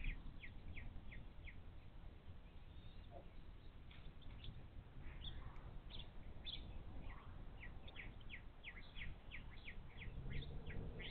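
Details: Wild bald eagles at a nest on the Little Miami Conservancy live cam, 11 April 2023, as the male brings in fish and the female feeds the chicks while the eldest blocks the younger one; rapid thin high chirps in bursts over steady low rumbling noise.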